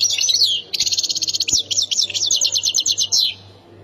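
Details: European goldfinch, Khemis Miliana sector style, Ain Defla province, pouring out a continuous high, tinkling song of rapid chirps in quick even series for over three seconds before falling silent.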